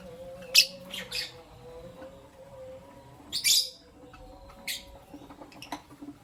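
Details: Caged lovebirds, albino and Euwing green opaline, in morning chirping: a few loud sharp high chirps spaced irregularly, about twenty a minute, over a steady low hum and soft background noise.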